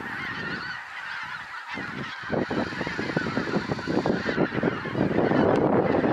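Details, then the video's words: Large flock of geese landing on pasture after flying over trees; honking starts moderate then swells into a loud, dense clamour of rapid overlapping calls as the birds come closer, with whooshing wingbeats. "Hunderte Gänse landen auf der Weide"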